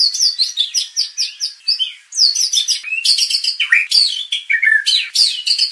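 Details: White-rumped shama song used as a lure to make contest birds emotional and show their full repertoire: rich, fast, varied whistles and sweeping notes, high and bright, tumbling phrases with brief pauses, no other sounds.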